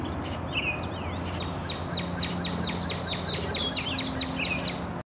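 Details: An adult male Blackpoll warbler drinking water on Chicago's lakefront gives a few softer chips, then about a dozen very high, thin, evenly spaced notes in quick succession, over a low steady rumble.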